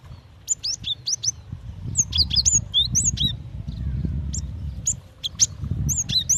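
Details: Female cinereous tit calls directed at a male: scattered high, sharp chirps and short slurred phrases, some in quick groups of three, over continuous low rumbling noise.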